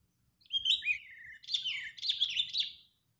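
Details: Sooty-headed bulbul, excited and angry, recorded as a bird-trapping lure: a clear whistled note sliding downward, then a rough chattering phrase of sharp, buzzy notes, with faint low background noise.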